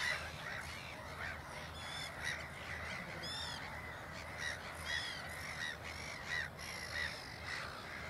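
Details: At Ottersaat, Texel in the Netherlands, a black-headed gull parent leads away chicks that keep following; short raspy squawks with sharp downward-bending notes, repeated irregularly among more distant colony calls.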